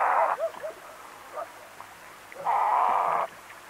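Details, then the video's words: Western reef heron calling at medium-close range: two harsh, rasping croaks, a short one at the start and a longer one lasting nearly a second, with faint soft notes in between. "Western Reef Heron / Calls MCU"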